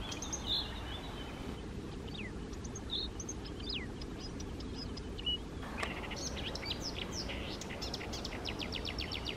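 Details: Eurasian reed warbler at lakes on the morning of May 28, 2024, in Poland: sparse clicks and short slurred notes at first, then a dense, rapid, chattering run of harsh repeated notes over a continuous low rumble.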